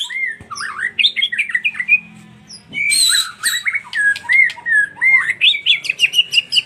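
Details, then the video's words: Lure recording of a white-rumped shama intended to provoke song: tumbling whistled and chattering phrases, a harsh buzzy burst midway, then a quick run of bright, repeated rising whistles. "Pancingan murai batu 100% efektif langsung auto gacor"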